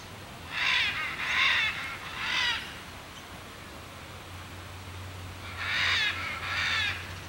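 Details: Crested caracara giving harsh, grating, raspy calls, three in a quick series followed after a pause by two more, over a low steady background hum.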